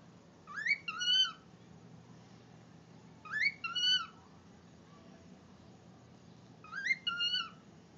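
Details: A pet cockatiel, a happy male over ten years old, sings short whistled phrases that rise and then fall, repeated about every three seconds.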